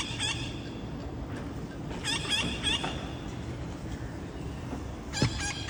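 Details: Visiting parrots on a late August afternoon, after a scout's calls drew three others: scattered raspy squawks in short clusters, a pair of bursts midway and another near the end, with a constant low hum beneath.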